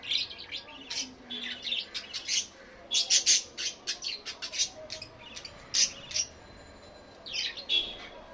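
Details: Budgerigar chatter: rapid run of sharp, scratchy chirps and clicks, loudest around three seconds, then sparser twittering toward the end over a faint hum.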